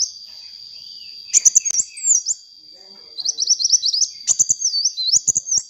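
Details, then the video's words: Lively sunbird song meant for luring: a short burst of twisting whistles, a quiet gap, then rapid high chirps running into wavering, looping whistled phrases, with occasional clicks and a persistent faint tone. "suara burung kolibri gacor untuk pancingan bunyi kolibri bahan"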